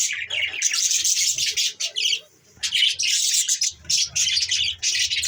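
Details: Pet budgerigars, several birds, chattering in dense bursts of bright, scratchy chirps and warbles, with short pauses between runs and faint low background sounds.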